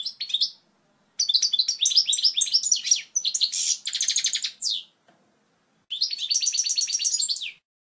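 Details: Tutor song of a European goldfinch for teaching fledglings: bursts of lively twittering with buzzy trilled segments and downward slurs, separated by pauses of about a second.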